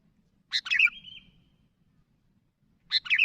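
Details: Sooty-headed bulbul calling to others: a sharp bubbly burst trailing into a thin level whistle, then another abrupt burst near the end; quiet background.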